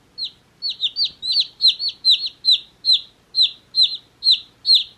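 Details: One-day-old baby chicks peep in high, sharply falling chirps, two or three each second, some overlapping from more than one bird; nothing else is heard.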